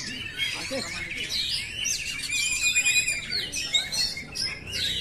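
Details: Simulated song of the oriental magpie-robin: trilled and whistled phrases overlap, with a sustained thin whistle through the middle and crisp chirps toward the close.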